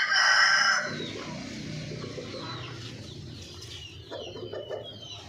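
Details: Hen gives a loud, harsh, harmonic call lasting under a second, followed by quieter clucks and high twittering from small birds over background hum.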